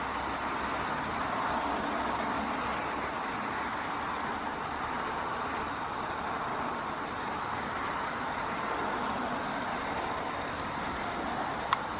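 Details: Steady broadband vehicle rumble and road noise throughout, with no clear animal calls standing out.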